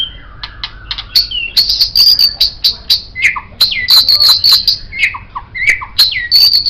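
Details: Tutor song of a white-rumped shama for training songbirds: high, clear whistles and thin trills, with lower slurred notes dropping between them and sharp ticks, delivered continuously at a fast pace.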